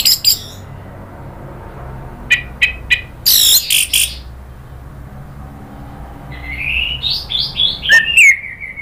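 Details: Orange-headed thrush in agitated lure singing: scattered sharp chips and a harsh burst, then a rising and falling sequence of slurred whistles ending in a downward glide.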